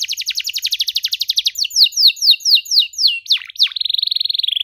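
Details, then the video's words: Canary singing for young canaries to copy: a fast pulsing trill, slower repeated downward slurs, a couple of deep swooping notes, then a long steady buzzing trill held near the end. "KENARI GACOR DORR NEMBAK PANJANG, CENGKOK MEWAH COCOK BUAT KENARI MUDA BELAJAR BUNYI"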